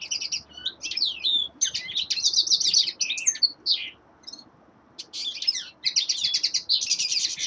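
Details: Common linnet song from a young male in winter, long twittering phrases of buzzy chirps and sliding notes, broken by one short pause near the middle.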